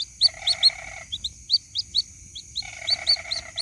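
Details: White-breasted waterhen chick calling its mother, used as a lure recording: sharp, high, upward-flicking peeps in quick irregular series, with a harsh buzzy rasp underneath at the start and end and a steady thin high whine throughout.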